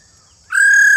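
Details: An old wild-caught female laughingthrush, whose call is used to stimulate males to sing, gives a single loud, steady whistled note that starts abruptly halfway through and holds an even pitch; otherwise quiet.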